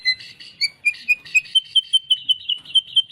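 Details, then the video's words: White-rumped shama (murai batu) giving a quick series of clear whistled notes, about four per second, steadying onto one repeated pitch toward the end. "murai faighter mental juara"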